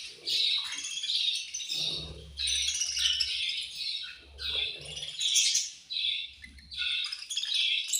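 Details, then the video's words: Pet budgies chirping while eating: long stretches of dense, gritty chatter from several birds, with low knocking and rustling from the food. "My Beautiful Budgies Angry Eating And Chirping Sounds"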